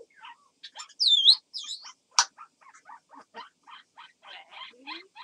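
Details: Pet grey parrot imitating a crow, a special sound: two loud slurred rising and falling calls, a sharp click, then a run of short harsh clipped notes repeated about three times a second.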